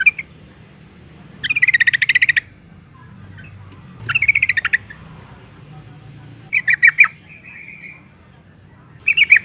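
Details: Yellow-vented Bulbul female in breeding condition calling to males, delivering bursts of quick, bubbly chattering notes roughly every two to three seconds, one ending in a thin drawn-out whistle.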